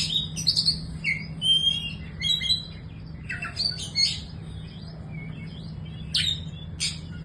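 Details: Young Oriental magpie-robin singing a varied string of whistled slurs, clear pure notes and rough chirps in rapid, irregular phrases, with a continuous low hum in the background.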